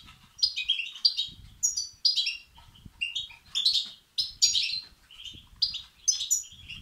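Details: European goldfinch chicks begging, a recording used to stimulate males; bursts of high, chattering, twittering notes come in rapid clusters about once a second, with brief pauses between groups.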